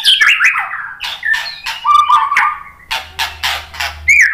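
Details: White-rumped shama singing, used as a lure so birds reply: sweeping whistled notes falling and rising, mixed with harsh scratchy bursts and chattering, delivered loudly in quick succession with a faint low hum at the end.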